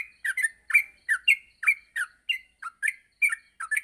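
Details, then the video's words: Yellow-vented bulbul morning song meant to teach other bulbuls to sing continuously; a brisk sequence of burry, downslurred chirps, often doubled, about three each second. "masteran pagi burung trucuk untuk melatih trucuk agar cepat ngropel"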